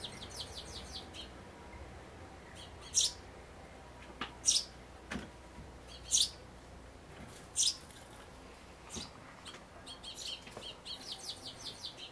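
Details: Sparrows at a nest box on 11 May 2012, one day before fledging, the parents coming and going as if urging the grown chick to leave: sharp high chirps at irregular intervals, shorter twittering runs at the start and end, a man speaking briefly.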